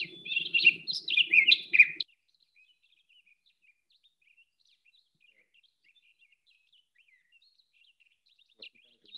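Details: Townsend's solitaire song that mimics other species, including a western tanager: a loud, rich, tumbling warble for two seconds, then faint, rapid high notes trailing on. A low voice murmurs under the opening phrase.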